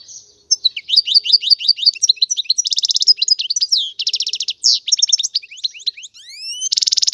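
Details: European goldfinch song: loud, fast tinkling twitters and buzzy trills high in pitch, with rapid repeated notes, liquid chirps and rising slurred whistles strung together without pause, no other sounds.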